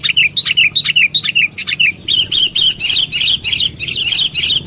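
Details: Trapping-lure sound of sooty-headed bulbul: a short run of separate chirps sliding downward, then dense, overlapping high chattering notes with a soft background hiss.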